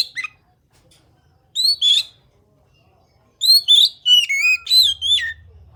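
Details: Oriental magpie-robin (kacer) singing to provoke other magpie-robins into song: a short falling whistle, a loud rising pair, then a busy run of upswept and falling whistled notes, with a low hum entering at the end.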